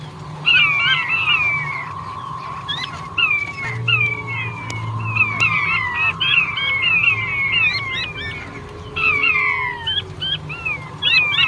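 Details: Male king quail calling: falling whistled notes repeated rapidly and overlapping in layers through the clip, over a steady low hum and a continuous mid-pitched tone.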